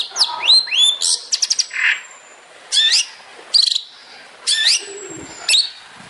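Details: Long-tailed shrike song in 'tembakan' style, used as training material for songbirds: separate bursts of sharp, high downslurred chirps and brief rattles, with short pauses between phrases and one thin drawn-out whistle.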